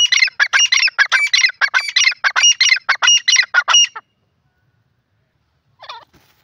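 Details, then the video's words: A francolin gives a fast run of harsh, scratchy, squawking notes, about a dozen in four seconds, then falls silent before one last brief note. "teetar ki awaaz"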